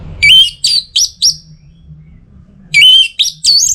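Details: A caged orange-headed thrush in Singaraja, North Bali, calling to challenge rivals and arouse mating excitement, sings two bursts of four rich, high, slurred whistled notes, with a short pause between, over a faint low hum.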